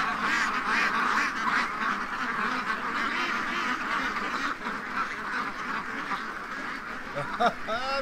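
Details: Spooked free-range domestic ducks in a pen in Ontario, Canada, one morning, a crowded chorus of rapid raspy quacks from many birds, slightly fading midway, with a brief higher sound near the end.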